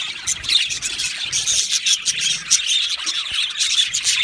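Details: Many budgerigars in an aviary colony chirping at once, quick tweets and thin whistled notes layered over a constant high twittering, with a few sharper clicks standing out.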